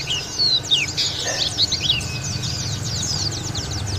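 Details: Local Lawu dakun white-eye in ngalas, open-beaked singing: a busy, rapid tumble of thin high chirps and twittering slurs, with a steady low hum underneath.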